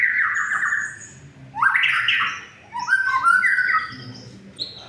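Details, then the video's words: White-rumped shama song for coaxing mute shamas to sing: a steady whistled note, then a loud rich warbling burst, and a quicker run of bright slurred whistles. "suara untuk memancing murai yg macet bunyi"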